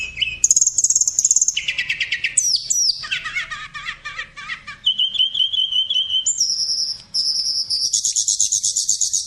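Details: A pet cockatiel chatters in a rapid run of chirps, warbling trills and high whistles.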